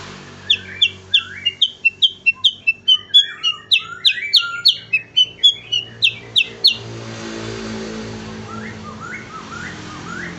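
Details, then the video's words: Cucak kurincang singing in a lively style used to train other songbirds: a run of sharp chirps about three per second, mixed with lower whistled notes, over a steady low hum, fading into softer calls. "burung cucak kurincang super gacor untuk masteran terbaik"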